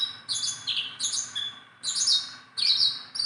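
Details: A tame Sunda bulbul kept as a hand-friendly cage bird sings short, buzzy, high chattering bursts about every three-quarters of a second, each ending in a thin whistled tail.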